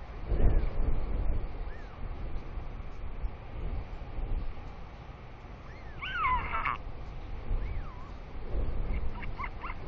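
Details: Royal albatross parent regurgitating squid paste for its chick, making unusual sounds, with heavy wind; a loud, rising-and-falling harmonic call midway, faint arched notes, and a burst of stuttering pulses near the end, all over gusting wind.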